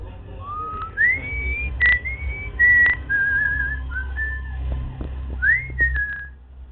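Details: A male cockatiel, first thought female, dancing indoors whistles a string of clear, pure notes, some sliding upward, over a low indoor hum.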